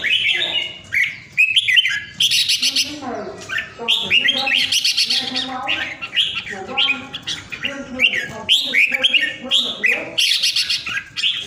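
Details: Vietnamese red-whiskered bulbul kept as a caged pet at home, praised as a 'ground airplane' for its strong voice, pours out quick liquid warbles and sharp bright whistles in repeated bursts, almost without pause.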